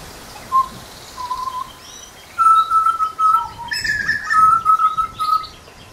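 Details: Grey butcherbird giving clear, mellow piped whistles, a few single notes at first, then a longer run of steady fluting tones strung together, with faint softer chatter behind.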